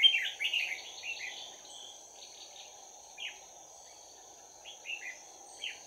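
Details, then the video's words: Red-whiskered bulbul decoy in a trap with fighting song: an opening flurry of bright warbled notes that fades, followed by a few isolated short whistled notes over a steady high hum. "Bẫy chào mào Giọng chuông đấu giáp lá cà"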